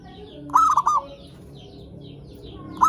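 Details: Lure recording of zebra dove song meant to excite other zebra doves into calling: one full cooing phrase of a rising coo and two short notes, then the start of the next phrase near the end.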